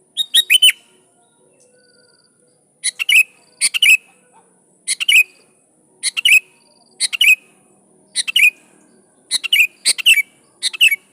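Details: Sooty-headed bulbul in full loud song used to call rivals and draw replies from wild bulbuls; short bright phrases of quick chirps and falling whistles repeat about every second, eight phrases in a row over a quiet background.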